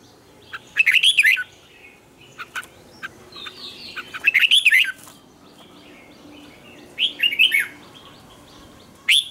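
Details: Red-whiskered bulbul singing in the morning, used as a lure bird for training others, with tight twisting double notes: three bright warbled phrases, about half a second each, rising and falling through a high range, separated by brief chirps and pauses.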